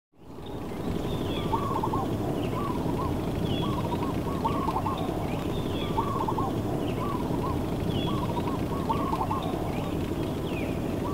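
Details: Common waxbill (Estrilda astrild) at West Loch Beach Park, Pearl Harbor, Oahu, Hawaii, giving short, nasal chipping calls in loose repeated bursts about every second, over a loud, steady rushing background noise.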